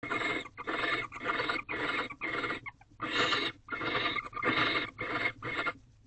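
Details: Wild barn owls in a nest box at 6:11 am on 19 March 2023, the male trying to interest the female in a new rodent. Harsh, hissing, broadband rasps about half a second long, repeated in a loose series with short gaps.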